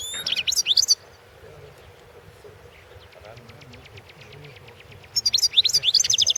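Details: European goldfinch in a 2016 singing competition: quick, sharp twittering phrases open and close the passage, with soft, rapid ticking notes in the quieter middle over a low hum.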